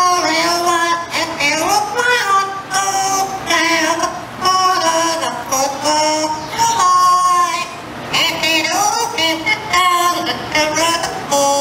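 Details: A pet yellow-naped Amazon that has lived with people all its life sings a learned human tune on request, in a warbling, voice-like tone with wavering held notes and short sliding phrases, followed by brief laughter and clapping.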